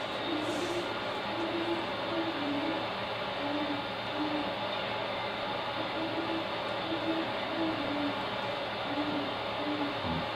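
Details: A mated pair of Great Horned Owls in Forest Park, St. Louis, Missouri, duet in full swing. The female sits higher, the male's hoot has a cooing, purring edge, and deep soft hoots overlap at two pitches; eastern gray squirrels may give warning calls.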